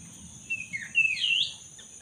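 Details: Black-throated magpie-robin singing actively as a lure to get a silent bird singing again: a short run of slurred whistles rising to a louder buzzy phrase, over steady background noise.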